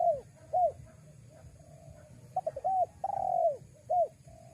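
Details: Spotted dove call used to lure wild doves: a series of short, downward-curving coos, one longer drawn-out falling coo near the end, with steady low rumbling noise and a faint high hiss behind.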